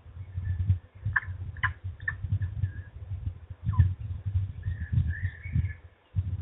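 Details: Peregrine falcons at their nest in Trzebież during an evening feeding, 17-05-21: harsh, broken calls in short bursts, then a drawn-out wavering cry near the end, over steady low rumbling noise.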